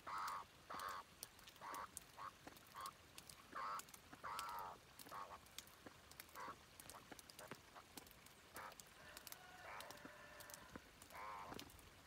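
A chukar gives a run of harsh, clucking chuk notes, about two per second, then breaks into softer, scattered chatter over a faint background hiss.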